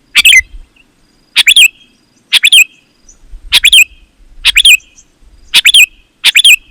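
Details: Kutilang (sooty-headed bulbul) in calling song to lure wild bulbuls: seven bright bubbly phrases, each a quick chirp pair, spaced about a second apart, with a light low rumble.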